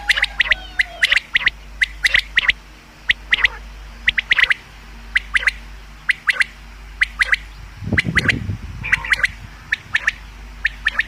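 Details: Common quail call sound for hunting: short, sharp notes, often in quick pairs or triplets, repeating about once a second. A brief low rumbling noise intrudes near the end.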